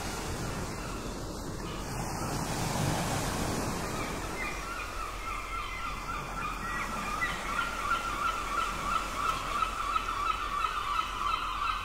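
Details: Gulls calling at a port: after several seconds of broadband wind and wave noise, a fast series of short repeated yelps builds up and carries on steadily to the end.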